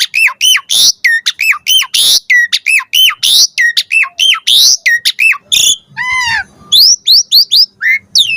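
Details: Jalak suren, the Asian pied starling, singing a lure song meant to draw replies from other starlings: a dense run of loud, sharply down-slurred whistles repeated in quick succession, then harsh rising notes and a burst of buzzy chatter.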